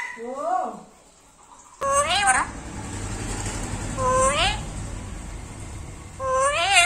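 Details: Pet black-capped lory speaking in a sweet voice: short rising and falling nasal word-sounds repeated several times over a steady background rumble.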